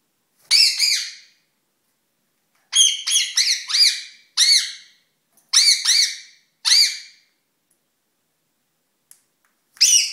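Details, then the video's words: Rose-ringed parakeet kept indoors, courting: repeated harsh, metallic squawks, some in rapid strings of three or four syllables, others single and drawn out, in steady bursts over ten seconds with brief pauses. "Ringneck 7Up & Pepsi - Seven beim Balzen"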